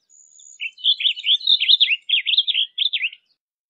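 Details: Blue grosbeak singing a rich, fast warble of short slurred notes that rise and fall, delivered in a quick run of about three seconds, with clear phrases and no other sounds.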